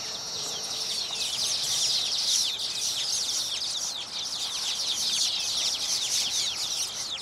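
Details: Colony of baya weavers sings after completing its nests, frenetically pruning them and fluttering its wings to attract partners. Continuous high, sizzling chatter of rapid downward sweeps, steady in loudness throughout.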